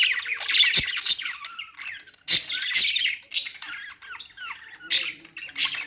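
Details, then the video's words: Budgerigars warbling a busy mix of scratchy chirps and squeaks, punctuated by sharp clicks, with louder bursts near the start and middle. "budgies singing | budgie sounds | parakeet chirping sounds"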